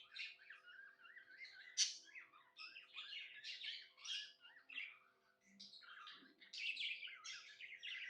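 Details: Contented budgie chattering nonstop, mixing squeaky chirps, rapid clicks and bright whistled notes in an uneven stream; volume swells and dips, with a low steady hum in the background.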